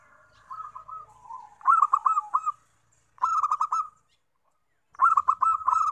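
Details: Zebra dove lure song for wild doves: soft opening coos and a low murmur, then three loud, rapid rolling phrases of clipped coos separated by brief silences.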